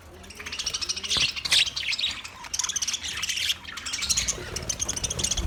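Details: Budgies giving dense squawking chatter, bursts of harsh high notes and warbles running almost continuously with brief pauses, several birds seemingly calling together.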